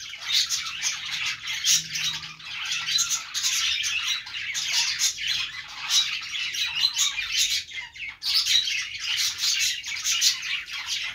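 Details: Chirping budgies in a long run of thick, overlapping chatter, raspy tweets and squawks, briefly thinning around the two-thirds mark before resuming.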